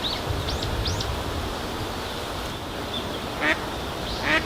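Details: Eastern spot-billed duck uttering everyday call notes: two short rasping quacks near the end, preceded by faint high upward-curving notes, over a constant outdoor background hiss.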